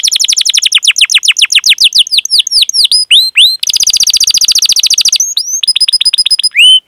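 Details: Canary performing an extended cuit-cuit roll, serving as a master lure for young canaries; rapid falling whistles speed up, give way to a dense buzzing trill, then ringing upslurred notes.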